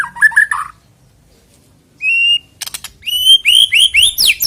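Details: White-rumped shama song for prompting birds to sing before a contest: short jumbled chirps, a pause, one level whistle, then a run of rising whistled notes.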